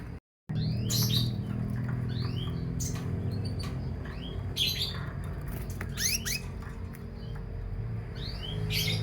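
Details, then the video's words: Canary set out in the morning sun, between eight and ten o'clock, calling with repeated quick rising sweeps and clustered high chirps, fairly steady throughout, with a low hum underneath. "Jemur Burung Kenari"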